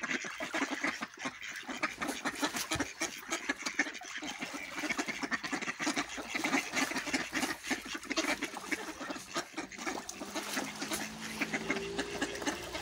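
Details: Several ducks quacking harshly while feeding and fighting, dense overlapping nasal calls and scuffling with splashing and rustling throughout, a low drawn-out honk-like tone near the end.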